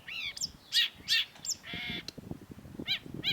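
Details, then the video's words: Long-tailed shrike in lively, sharp-voiced song, recorded as a master for training cage birds: a quick jumble of rising whistled chirps, a buzzy nasal note, and a flat harsh rasp near the end. "cendet gacor MASTERAN CENDET SUARA TAJAM || Long-tailed Shrike"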